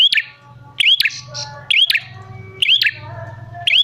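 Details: Bar-winged prinia call meant as a lure for other prinias: clicky chirps each ending in an upward whistled hook, repeated under a second apart, with a low droning hum and soft buzzy notes between.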